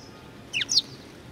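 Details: Young Eurasian tree sparrows, 19 June 2019: two quick, sharp, high chirps in rapid succession, the second slightly higher, over a quiet background hiss.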